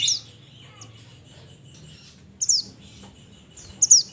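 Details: Mantenan from the mountains calling its companions: crisp, high-pitched downward-swept notes, one at the start and paired notes later, separated by quiet gaps.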